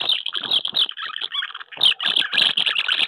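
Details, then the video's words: House martins at nests on a wooden house in May, during courtship and nest disputes, give a fast, dry, chirruping twitter of short high notes running almost unbroken, with brief pauses between bursts. "Mehlschwalben am Holzhaus, die Balz"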